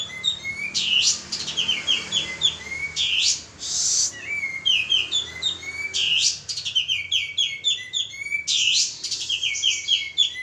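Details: Male pied triller pouring out lure song: repeated phrases of rapid, high, dropping chirps ending in longer whistles, alternating with loud grating, noisy sweeps every couple of seconds.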